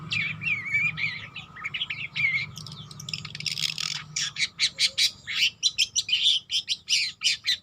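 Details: Young long-tailed shrike practising its song, opening with wavering harsh warbles, then breaking into a fast series of clipped, scratchy chirps that grow louder toward the end.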